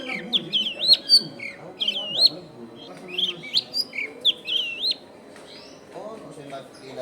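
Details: Long-tailed shrike song used as a lure for wild shrikes: varied whistled and scratchy phrases with sharp up-down sweeps, repeated in bursts, with a low murmur of background noise from a crowded neighbourhood.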